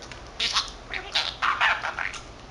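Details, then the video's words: A male budgerigar aged 13 months talks to himself, mixing mimicked Korean and Japanese words. Brief burst of four or five gravelly, speech-like syllables delivered quickly in a soft, steady stream. "Talking Parrot 말하는 사랑앵무(잉꼬) しゃべるセキセイインコ"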